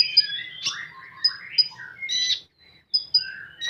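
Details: Common iora, known locally as konin, singing in the 'full tembakan' style: a rapid jumble of whistled notes, sharp high chips and sliding warbled phrases, broken by a short pause before more bright high notes.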